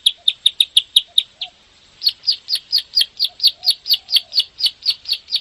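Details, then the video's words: Bar-winged prinia, locally ciblek sawah, in a master recording for provoking caged birds to sing in the rapid 'ngebren' style. Sharp high clicking notes repeat about five per second, pause briefly, then resume steadily. Faint low notes sit beneath. "SUARA MASTERAN BURUNG CIBLEK SAWAH/PRENJAK SAWAH (KLIK) GACOR NEMBAK NGEBREN RAPET PANJANG"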